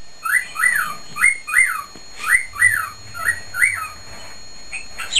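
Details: Loud whistling from a male cockatiel in his cage: about eight swooping, arched whistled notes in regular succession, ending with a rising upward note.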